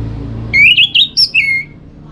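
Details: Orange-headed thrush, a caged songbird from North Bali, Singaraja, sings a short run of clear whistled notes that rise and fall quickly, with a soft room hum underneath. The song is used to stimulate others to sing in the morning.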